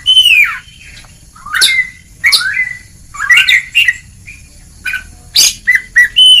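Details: Oriental magpie-robin in ngeplong song, recorded as a master track to coax reluctant birds to sing; loud falling whistles alternate with harsh high bursts and brief quiet gaps.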